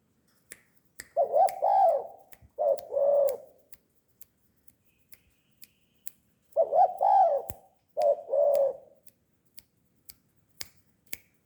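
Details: Tame spotted dove cooing: two bouts of soft, low, rounded coos, each a short run of notes followed by a drawn-out pair. Sharp dry clicks tick steadily throughout.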